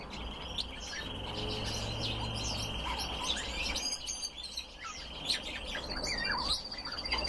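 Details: Captive red crossbills kept as cage birds: a steady high whistled tone holds for several seconds while sharp chirps and short rising and falling twitters overlap throughout, with a dense chatter of several birds at once.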